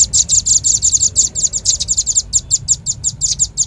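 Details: Velvet-fronted nuthatch lure call used for attracting birds: an unbroken, rapid series of sharp, very high-pitched chips, roughly five to six per second, steady in pitch, with low background rumble.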